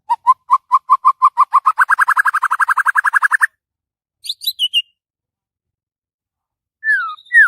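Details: White-rumped shama singing in the morning with a long accelerating series of short mellow notes that rise in pitch and merge into a buzzy trill, then scattered high chips and whistles.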